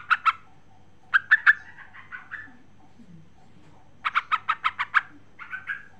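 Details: Calling female sooty-headed bulbul seeking a male: quick bubbly notes, then a long run of about seven evenly spaced chirps trailing into softer warbled notes.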